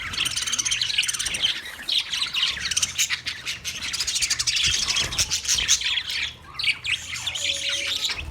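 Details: Budgerigar singing and chirping, recorded 14 March 2024: a dense, continuous run of high, scratchy chirps and warbled twitters with quick squeaky notes, steady throughout with a few louder bursts.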